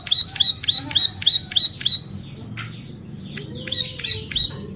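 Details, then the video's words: Bar-winged prinia song used for bird training and luring: seven loud, sharp chips at about three per second, then a stretch of softer rustling sound, followed by a few more high chips. "Ciblek Sawah Gacor Cocok Buat Masteran dan Pikat"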